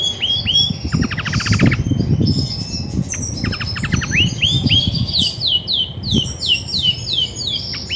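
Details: Female Belgian canary, grey and white, singing freely as it does when ready to brood: sharp downslurred whistles, two fast rattling trills, then a run of bright descending notes, with low thumping noise beneath.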